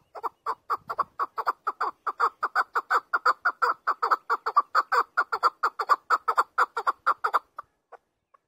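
A chukar gives a rapid, harsh chuck-chuck series at about four notes a second for seven seconds, then trails off into a few spaced clucks.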